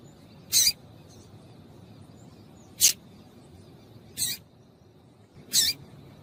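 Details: Female yellow-bellied seedeater calling to stimulate males: four short, sharp, high chips spaced about one to one and a half seconds apart, over a faint low background hum.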